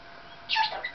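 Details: Indoor Maximilian's pionus, a talking and singing pet parrot, utters a single brief scratchy squawk with a falling tail, in a quiet room between its owner's words.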